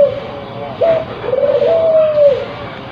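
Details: Quiet low cooing from a spotted dove in breeding condition: a short note, then a long, slightly wavering coo that fades out, with a soft background murmur.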